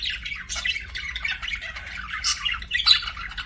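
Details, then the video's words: Pet budgies chirping: rapid rasping chatter mixed with squeaky whistles and a sharp high chirp near the end, over a soft low hum. "BUDGIE CHIRPING SOUNDS"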